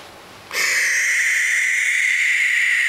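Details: Baby barn owls: after half a second of quiet, a loud, steady, rasping hiss begins and holds unbroken for over two seconds.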